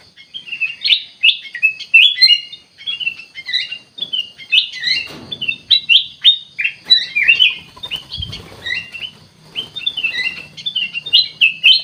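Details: Kutilang emas bulbul in full, lively song: a continuous stream of quick whistled and chattering notes, slurred up and down, repeated in rapid, uneven bursts with a faint low hum underneath.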